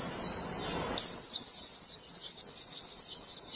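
A Japanese white-eye sings a long, rapid, very high twittering warble that runs on without pause after a brief hiss at the start.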